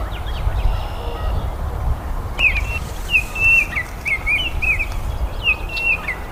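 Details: Baltimore oriole delivering a run of rich whistled notes, short slurs and dropping inflections strung together for about four seconds, with muffled low outdoor noise beneath.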